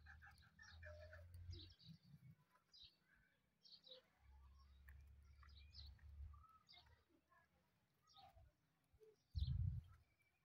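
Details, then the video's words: Male and female desi partridges calling amid a fight: a string of short, sharp chirps and clipped notes scattered through the clip, over a low rumbling background with a loud thump near the end. "Male Partridge's Unique Call"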